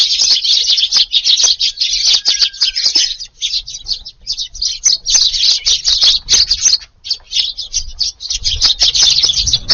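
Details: Many Eurasian tree sparrows crowd into a garden in Japan at evening mealtime on 22 July. Nonstop busy chirping from the whole flock, high and scratchy, pulsing in rapid waves with brief dips, low thumps near the end.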